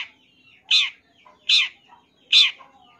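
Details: Champion long-tailed shrike repeating a harsh, grating scold note three times, about every 0.8 seconds, each burst short and loud against a quiet background.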